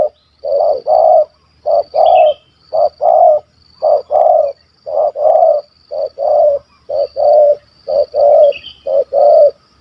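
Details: Spotted dove targeted by hunters in Malaysia, a stammering bird with a big voice and kuk 1 2 coo. Short then drawn-out deep coos repeat about once a second, with faint twittering of small birds.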